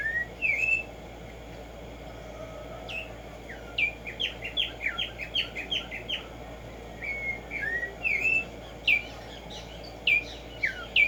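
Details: Black-striped sparrow (Arremonops conirostris) in natural habitat in the morning, delivering scattered short whistles and clusters of quick chipping notes, separated by short pauses.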